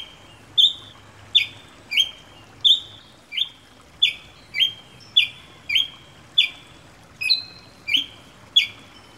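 Ruby-crowned Tanager giving a steady series of sharp, high chip notes with brief whistled tails, about one every two-thirds of a second, over a quiet background.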